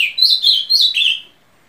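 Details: Brazilian ultramarine grosbeak ends its song with four bright, slightly buzzy whistles at a steady mid-high pitch, each a little lower than the last, then silence.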